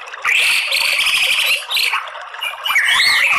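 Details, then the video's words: White-rumped shama song played as a lure to stir males into fighting song: loud, drawn-out clear whistles, some held level, some slurred up and down, with short gaps between phrases. "MURAI BATU apa saja jadi FIGHTER NGELAWAN GACOR OWOR OWOR ¦ PANCINGAN MURAI"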